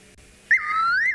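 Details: Fiery-necked Nightjar calling at night in a South African game reserve, heard with the vehicle engine switched off; a clear whistled note that jumps in sharply, dips, then slides smoothly upward over about half a second.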